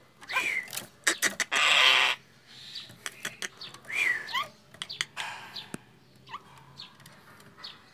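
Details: Frightened Nias hill myna giving alarm calls, used to lure birds: harsh rasping screeches and noisy bursts alternate with sharp clicks and upslurred whistles, delivered in irregular loud bouts.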